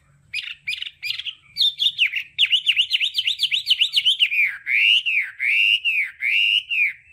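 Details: Hwamei, a kept songbird, singing three short notes, then a fast rolling run of repeated slurred whistles, slowing into loud arched whistled notes about two per second.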